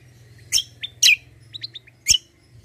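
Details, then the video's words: Energetic white-eye, kecial kombo style, kept as a tutor singer: a few loud sharp downslurred chirps mixed with softer short whistled notes in under three seconds. "KECIAL KOMBO CUCAK KOMBO FIGHTER GACOOR"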